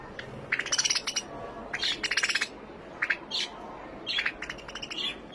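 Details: Finch chirping in short clusters of rapid, high notes spaced about a second apart. The notes are moderately quiet against a steady background hiss.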